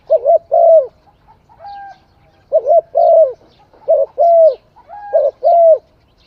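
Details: Mellow, hollow cooing of a spotted dove. Paired short notes lead into a sustained coo, repeated four times in about six seconds, with faint whistled notes from other birds behind.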